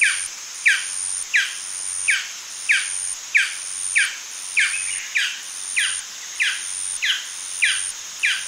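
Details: Repeated yapping from a male Golden Dove, around thirteen sharp falling notes in a steady rhythm, with an unbroken high-pitched whine behind them.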